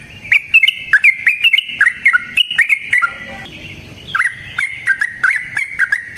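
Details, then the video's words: Yellow-vented bulbul in rapid wild-style song, played to coax other bulbuls into singing: fast chirpy, slightly warbled notes in two runs separated by a brief break. "Trucukan GACOR ngalas ROPEL PANJANG suara alam"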